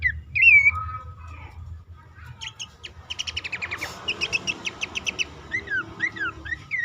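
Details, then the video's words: Bush warbler lure call for stimulating caged birds that are new, stalled, stressed or reluctant to sing, advised for dawn or night; a loud whistled upslur opens, then a rapid series of sharp chips and repeated curved whistles follow. "pelanduk semak ngecall pancingan ampuh burung bahan,macet,stress,susah bunyi agar cepat ngeplong"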